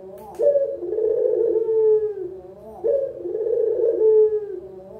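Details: Low, quavering coos of a local spotted dove serving as beginner training audio, each phrase opening with a quick upward note then easing down, repeated roughly every two and a half seconds.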